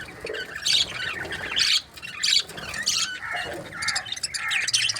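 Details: Budgerigar breeding pairs calling: loud squawky chirps and warbled trills in short bursts, several birds overlapping, with brief quieter gaps.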